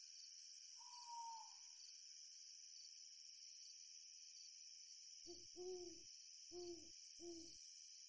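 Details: Owls at night as a full moon rises: a faint, drawn-out whistled note, then four short, low hoots with a softer upper tone, spaced under a second apart, over a steady high chorus of crickets.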